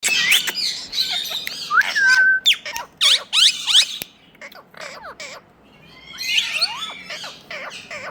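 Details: Talking parrots, tagged to India, giving a busy run of shrill squawks, upslurred whistles and bent chattering notes, loud at first, then a quieter stretch before another burst of chatter.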